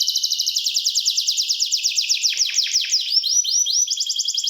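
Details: Canary song opening with a long, rapid high trill, then slowing into slurred downward-swept notes and short rising whistles, before a final fast high roll.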